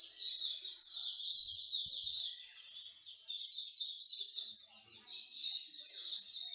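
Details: Singapore bird singing corner: a constant high chorus of twittering, trilling songbirds with little else besides a few faint low knocks.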